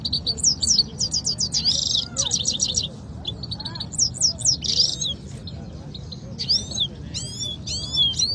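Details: Two canaries in a singing contest in Quetta. Clipped rattling phrases, buzzy trills and sharp upswept whistles alternate with short gaps, ending in loud sweeping notes over a low background hum.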